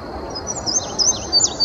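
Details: A treetop male indigo bunting in Virginia's Sandy Bottom Nature Park in early May 2019 gives bright, high, paired slurred notes. Each pair dips and rises, repeated roughly every half second against quiet background noise.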